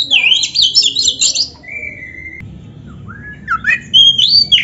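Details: Oriental magpie-robin song, played to provoke caged magpie-robins into answering and singing: rich, varied whistled phrases, fast descending slurs, a steady flat whistle, then rising sweeping notes after a brief pause.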